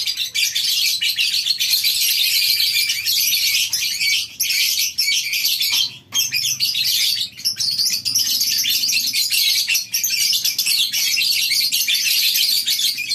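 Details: Lovebirds kept in a colony aviary at a breeding farm in the morning: a dense, continuous chorus of shrill, high chirps and squeaks from many birds, with only brief lulls.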